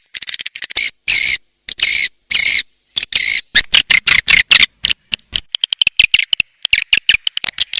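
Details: {'caption': 'Swiftlet attraction call: ticking clicks lead into loud, rasping high twitters in clustered bursts, then a scatter of rapid dry clicks.'}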